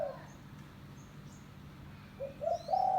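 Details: Spotted dove lure call from a village bird: the tail of one coo, a pause, then two short notes rising into a long sustained coo, with faint high chirps of other birds.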